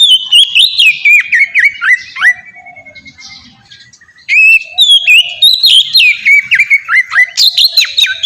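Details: Ngeplong song of an Oriental magpie-robin meant to make other magpie-robins sing: rapid repeated whistled notes swooping down, a drawn-out falling whistle, a short lull, then renewed energetic phrases.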